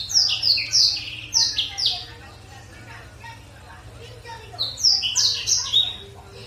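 Black-throated canary singing two bursts of quick, high, sweet twittering with a short pause between them, over a faint low hum.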